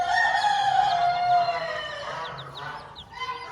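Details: A farm hen with her chicks utters a loud, long, steady harmonic call that slowly sags in pitch, followed by scattered high chick peeps as it fades.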